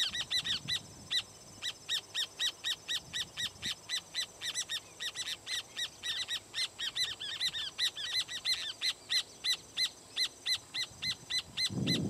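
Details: Several rufous horneros perched on a firewood-gatherer's nest, calling noisily in alarm: loud, sharp, harmonic notes repeated rapidly and unevenly, often overlapping in bursts for the whole stretch, with faint low rumble beneath.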